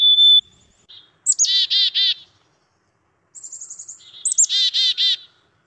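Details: Black-capped Chickadee in Manitoba giving two chick-a-dee calls: thin, high opening notes, then a run of three or four harsh, buzzy 'dee' notes. No other sounds.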